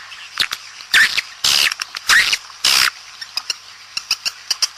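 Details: Mating call used outdoors to attract swiftlets: a few scattered clicks, then four long raspy buzzes in close succession, followed by a rapid series of brief, dry, ticking chirps.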